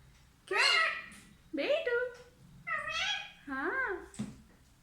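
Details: Mitthu, a talking parrot, speaks four or five chattering, speech-like syllables with up-and-down pitch, roughly one per second.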